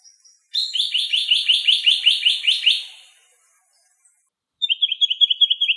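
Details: A fast, scratchy rattle of about a dozen buzzy notes, then a shorter high twittering burst, labelled as eastern black-eared wheatear in Greek nature. The birdsong is a composed soundtrack, so it may not be from the filmed birds.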